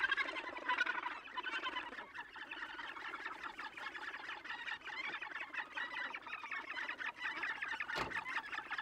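A dense chorus of harsh, grating, overlapping calls from many Australasian gannets, with one sharp knock near the end.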